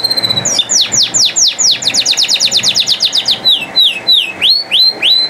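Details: Canary singing a loud continuous song: rapid series of downward-sweeping whistled notes repeated many times per second, shifting into slower upslurred phrases, indoors.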